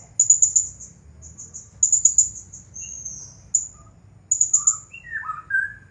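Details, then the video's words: Blue-crowned hanging parrot, a champion bird, in 'nagih hutang' style: high rapid chirp bursts and a thinner stretched note, alongside lower slurred whistles near the end. "Serindit Juara Nonstop Bunyi Gaya Nagih Hutang"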